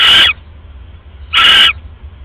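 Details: Night recording, 1:30 AM on 31 December 2014, of a female owl on a live camera feeding on a rat after casting a pellet; two loud harsh hissing screeches, about a second apart, over faint hum.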